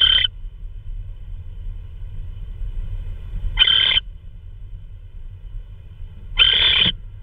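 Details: Owl at a nest cam at 3:12 AM on March 16, 2013, as an adult delivers prey, possibly a vole. Three harsh, hissing screeches about three seconds apart, with a steady low hum underneath.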